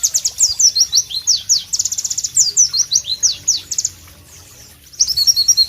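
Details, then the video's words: Pleci, the White-eye of Southeast Asia, giving a clear, powerful song in natural tropical ambience: dense high twittering and slurred whistles for nearly four seconds, a short silent gap, then the bright chatter resumes. "Masteran Pleci Bird Sounds Loud, Sharp and Melodious"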